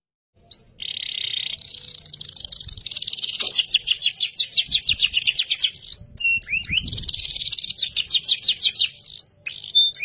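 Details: Canary of the FFYS type singing a varied song: clear whistled notes and rising slurs, then long rapid trills of repeated sweeping notes, high and bright, with short pauses between phrases and faint low background noise.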